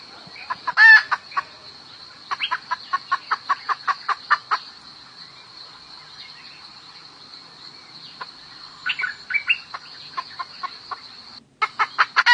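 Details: Hen calling the rooster: after a loud rasping note comes a long steady series of clucks, about four per second. A pause follows, then more clucking bursts, all over a constant high background hum.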